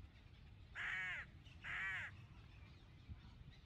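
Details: Black-crowned night heron in Israel with aggressive chicks at the nest, recorded 17 June 2018: two harsh, rasping squawks about a second apart, each lasting half a second, over a faint low background rumble.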